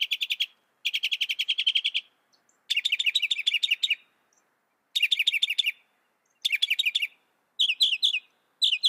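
A Northern Mockingbird sings bright, chattering phrases, each repeating one note type several times before switching to a new one, with short pauses between bursts.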